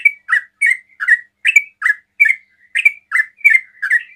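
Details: Sooty-headed bulbul in quick ropel song, used to draw replies from other bulbuls: a brisk, loud sequence of short, bright slurred notes repeated roughly three times a second.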